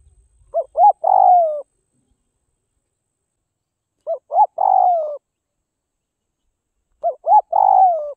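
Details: Spotted dove from northwest Vietnam, a bird trained to lose its fear of people, repeating a steady cooing phrase three times about every three seconds: two short rising notes leading into a long, drawn, descending coo.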